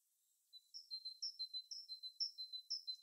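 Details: Wintertime bird calling after a brief silence: high, sharp chirps repeated roughly twice a second, alternating with thin lower whistled notes in an even, steady rhythm.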